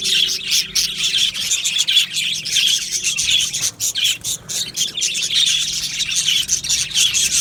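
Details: Colony of Australian budgerigars in an aviary, a continuous dense chorus of high, scratchy chirps and warbles from many birds, steady throughout.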